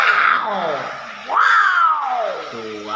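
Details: Common hill myna producing loud, voice-like harmonic calls: a falling drawn-out tone, a pause, then a sharp rising-and-falling 'wow'-like sweep and a lower sustained note, indoors, with a person's voice around.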